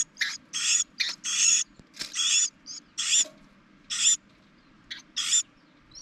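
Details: Carolina wrens nesting in spring on top of a propane tank, a camera inside the nest as the mother feeds her young; harsh, hissing rasps in uneven bursts, about eight in six seconds, with a faint low hum beneath.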